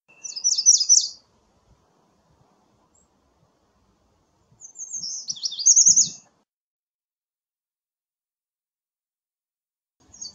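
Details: American redstart repeating its song with long gaps: high chippy phrases of fast zigzag notes, the second ending in a stressed downslur, with faint low rustling between songs.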